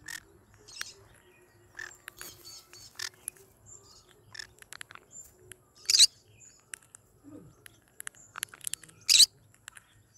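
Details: Yellow-sided and cinnamon green-cheeked conures kept as pets give two short, harsh, screechy squawks about three seconds apart, over scattered chirps, clicks and light rustling.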